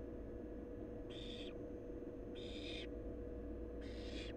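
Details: Barn owl nestling in a wild nest, giving three rasping hiss-screeches spaced roughly 1.3 seconds apart, noisy and broadband, with a constant low hum underneath.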